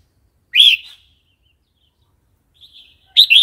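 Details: Red-whiskered bulbul in wild-style song, played to train young or newly caught birds; a bright slurred whistle, a soft faint phrase later, then a loud two-part bubbling phrase closing the clip.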